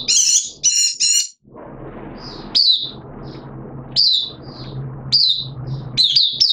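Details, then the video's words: Oriental white-eye kept in a cage, recorded 13 September 2022 during a deworming course, starts with rapid buzzy high trills, then gives bright descending chirps spaced about a second apart, with a low background rumble. "Mata Puteh T Rex Buka Sing"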